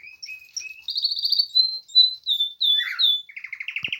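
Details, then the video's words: Early spring song of a canary: sweet whistled notes lead into a rapid buzzy trill, then sliding chirps and a closing run of evenly spaced rattling pulses. "Canary begining to sing in Spring time/ Pierwszy śpiew kanarka na wiosnę"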